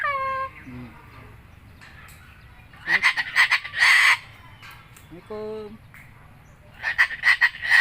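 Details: White cockatoo, said to be a skilled talker, gives speech-like tonal syllables with clear harmonics at the start and again midway, between bursts of loud, rasping screeches that recur in rapid pulses and close the recording.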